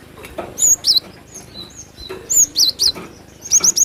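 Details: Cinereous tit singing: rapid high whistled phrases of looping, wavering notes and quick triplets, several bursts within a few seconds, with soft clicks and knocks underneath.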